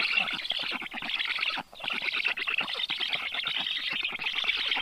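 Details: Female Black stork bringing fish to chicks at a nest in Karula National Park, southern Estonia, 30 June 2023, early morning; rough, rapid rasping calls in bursts, one brief break midway.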